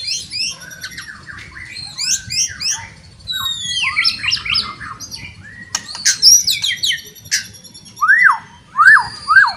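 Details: White-rumped shama in loud song meant to trigger other shamas to fight; dense high twittering and scratchy notes, then three loud rising-falling whistled slurs at the end.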